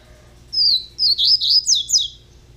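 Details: High whistled song of a young double-collared seedeater: a drawn-out thin note, then several rapid slurred notes dropping in pitch, delivered in about one and a half seconds over faint hum.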